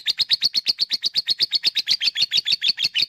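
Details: Lovebird ngekek, a long chattering song, played as a lure to make lazy lovebirds start singing: fast, unbroken run of shrill, buzzy notes, roughly six per second, wavering slightly in pitch throughout.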